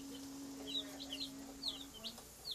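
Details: Several high, thin peeps from baby chicks come in short bursts with gaps between them, some rising and some falling, over a steady low electrical hum that fades out before the end.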